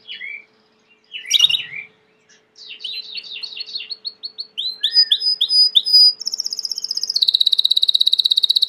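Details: Belgian canary (Serinus canaria domestica) sings a varied, high song of quick trills and rolling phrases, ending in a long, fast, bright rattle.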